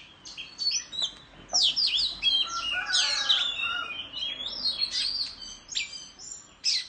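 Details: Oriental magpie-robin singing competitively while fanning its tail in the countryside: a rapid, varied stream of sweet whistles, slurred rising and falling notes and short chirps, with a few lower tonal notes underneath.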